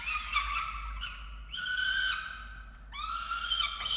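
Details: Falcons at a nest during chick feeding, recorded by a nest camera in Orange, Australia, on 13 November 2022: drawn-out, harsh, harmonic wailing calls, three long bursts, each a strained rising-then-level squeal, with a steady low hum beneath.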